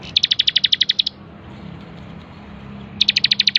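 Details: Two quick trills from a bar-winged prinia used as a training master: a fast series of bright, high clicking notes, a pause of nearly two seconds, then another rapid run.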